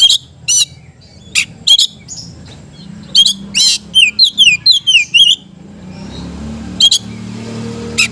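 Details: Oriental magpie-robin (kacer) in lively full song, used to stir lazy magpie-robins into singing: harsh broadband chips, then a run of clear downslurred whistles repeated about twice a second, with low background hum.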